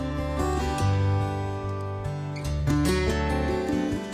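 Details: Plucked acoustic guitar music with sustained chords and no animal sounds.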